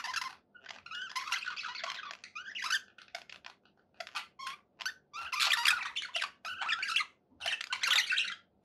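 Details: Budgerigars giving choppy warbling chatter in clusters of raspy, squeaky notes over a faint low hum, growing louder after the fifth second.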